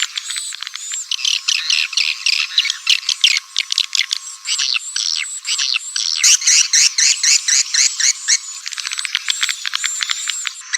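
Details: Swiftlet call of the 'walet naga' type, used to lure swiftlets: nearly continuous high, chattering chirps and buzzy trills, about four notes per second, steady throughout.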